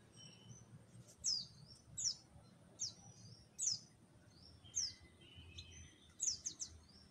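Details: Orange-headed thrush singing in full, open song, giving sharp, high downslurred notes at irregular intervals of about a second, some in quick pairs, over a soft background hiss and low rumble.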